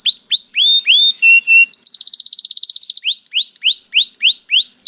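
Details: A canary alternates rising whistled notes with a level tone, a quick buzzing trill, and then another series of evenly spaced upslurred whistles.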